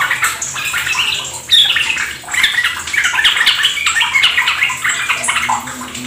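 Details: Yellow-vented Bulbuls chattering in quick succession, with varied bubbly notes and short rising whistles packed densely together, recorded as a lure to prompt ropel singing in caged birds.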